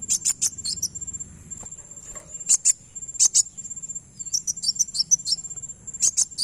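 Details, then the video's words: Kowul bird call used for luring birds: rapid clusters of piercing high chips in irregular bursts, separated by pauses of one to two seconds, with a steady, thin, shrill background tone running throughout. "Pancing bunyi burung Kowul"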